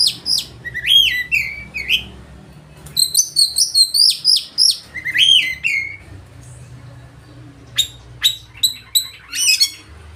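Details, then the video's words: Oriental magpie-robin in full loud song to spur rivals into singing and fanning their tails: varied whistled phrases with swooping notes and sharp chips in bursts, pausing, then rapid clipped notes. "Kacer ngeplay full materi mewah suara keras bikin lawan ikut gacor dan buka ekor"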